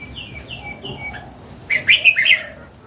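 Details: Red-whiskered bulbul, a mature wild bird, sings a brisk four-note warbled phrase after a few soft, thin whistled notes from the background.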